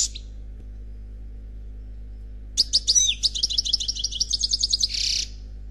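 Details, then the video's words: European goldfinch, unpaired, singing Khalwi style from a CD: after a quiet stretch, a sweeping slurred note opens a fast, evenly pulsed trill of bright repeated notes, ending in a dense buzzy flourish. "Chant Chardonneret Khalwi Célebataire"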